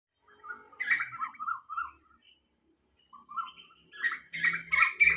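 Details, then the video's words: Wild Asian koel calling beside a house at 06:40 on 4 October 2022: bursts of hoarse, bubbling notes in rapid series, broken by a pause of about a second, then a louder, faster run. "เสียงนกกาเหว่า - นกกาเหว่าร้องเสียงแบบนี้ครับ"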